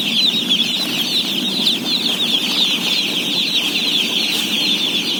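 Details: Loud unbroken peeping from a crowd of day-old chicks at feeding in a flock of 17,000, many rapid high chirps overlapping, with faint rustling below.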